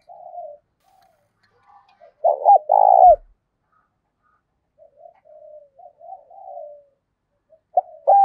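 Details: Caged decoy spotted dove cooing: scattered soft hoots and a short loud burst of two rough coos around the middle, more faint hoots, then a sudden loud note at the end.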